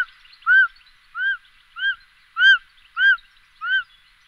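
Short-toed snake eagle giving six clear, arched whistled notes, each rising then falling, spaced about every half second against a quiet background.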